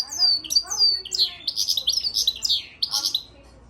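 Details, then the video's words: European goldfinch × Timbrado canary hybrid singing, recorded March 3, 2024: high descending whistled slurs that run into a rapid, buzzy, warbling stream of notes, then a short pause and a final twittering phrase. "European Goldfinch crossed with Timbrado canary"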